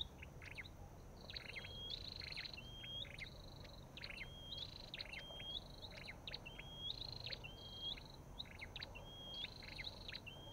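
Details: Olive-backed tailorbird: a long series of short rising whistles interleaved with buzzy trills and clicks, somewhat distant against noticeable low background rumble.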